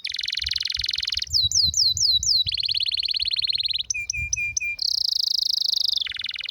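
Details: Captive canary singing a rare, strong song meant for training, in rapid changing phrases: buzzy trills, repeated descending whistled slurs, sharp clipped notes and a high rolling trill, with no pauses.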